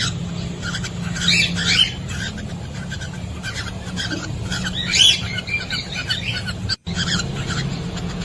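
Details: Cockatiels inside a nest box where a hen is laying eggs, captured by a CCTV camera; two sharp chirping bursts stand out against a steady low electrical hum and softer background chatter.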